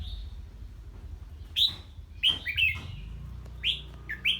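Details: Red-whiskered bulbul singing in the ché style after hearing an unfamiliar bird: short bright warbled notes, each swooping down, given in scattered bursts, over a low background rumble.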